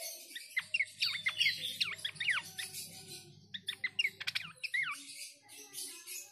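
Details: A babbler (bush babbler) responds immediately with bright, slurred whistles and sharp chirps in quick overlapping bursts.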